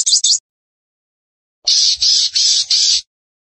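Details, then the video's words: Sunbird singing energetically: a brief burst of very high, rapid chattering trills, then silence, then four dense, buzzy high-pitched phrases in quick succession with abrupt starts and stops. "Sogon Gacor!!"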